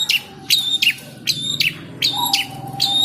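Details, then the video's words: A caged Long-tailed Shrike (cendet) acts aggressive when teased, giving harsh, scratchy high notes mixed with short whistles about every half second, over a steady low hum and faint rumble. "Cendet Galak tapi Gacor | talk to cendet birds for good singing"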